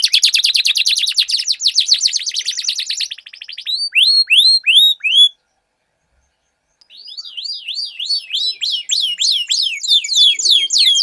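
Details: Canaries in a song duel, meant to get silent canaries singing: a fast dense trill, a few loud downslurred notes, a short silence, then repeated V-shaped chirps in a quick series.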